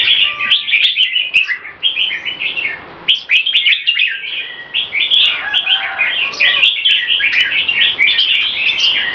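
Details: Red-whiskered bulbuls, two caged competition birds in fast display, deliver a long string of crisp, jerky whistled phrases, busy and unbroken, over faint clicks.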